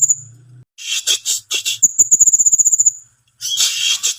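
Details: Timor sparrow singing: a long, fast, high-pitched trill of evenly repeated notes set between loud scratchy, buzzy chatter bursts, with a short pause near the end.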